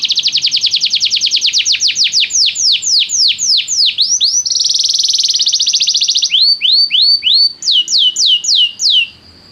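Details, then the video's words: Canary song played to get a canary singing at once: long rapid trills of repeated downward-sweeping notes, a dense buzzy roll, then rising whistled phrases and quick sweeping notes in varied tours. "o som de atrair seu canário para cantar imediatamente"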